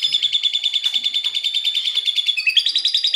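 Asian pied starling mimicking a lovebird: a fast, shrill, buzzy chatter of high notes, about three pulses a second, running without a break.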